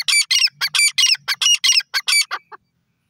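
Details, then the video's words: Teetar, a francolin, calling up close: a fast run of about twelve harsh, scratchy, squawking notes packed into two and a half seconds, the final few shorter and fading, with nothing else audible. "best dakni teeter sound pheasant desi teeter birds sound"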